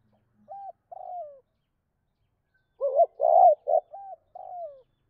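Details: Spotted dove giving the two-note 'cốt' call to stir up other doves: two soft hoots, a pause, then a dense burst of loud, rough rolling coos ending in two gentler falling notes.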